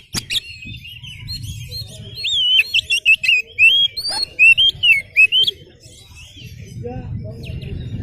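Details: Oriental magpie-robin singing with tail spread: a run of clear, looping whistled phrases that rise and fall, repeated in quick succession, followed by quieter low background rumble.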